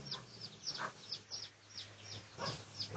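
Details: Red junglefowl recorded for research on 18 August 2023, giving a rapid series of short, harsh clucking notes, roughly three per second, over a low background hum.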